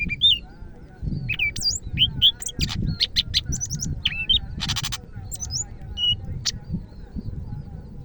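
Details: Greater green leafbird from Medan, singing vigorously: a busy run of varied sharp whistles, slurred upswept and downswept notes and a few buzzy bursts, with a steady low rumble underneath.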